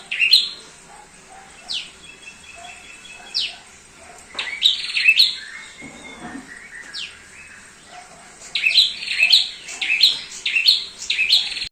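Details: Active song of a thick-billed heleia, offered as a master bird for training: sharp downward-sweeping chirps and short whistles, sparse at first, then a rapid run of bright sweeping notes near the end.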